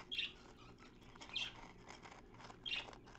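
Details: Captive budgerigar at its nest box: three short bright chirps about a second apart over a low, noisy background of scratching and soft chatter.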